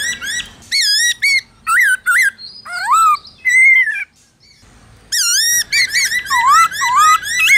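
Loud, rich whistled phrases from a Black-throated laughingthrush, bursts of swooping, rising-and-falling notes about once a second, mixed with a few squeaky, slurred notes.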